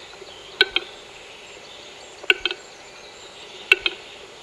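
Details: Western capercaillie displaying at a lek in the Großarltal valley: sharp dry double clicks repeated about every one and a half seconds over a steady hiss.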